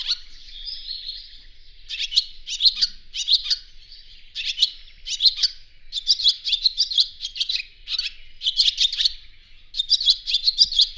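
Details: Barn Swallow giving its twittering song against a quiet background: a grating buzzy roll at the start, then bursts of high, liquid chirps and clicks repeated about every second.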